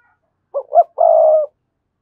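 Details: Spotted dove calling to lure rival wild males to fight: one clean phrase, two short rising coos followed by a long, steady, trembling coo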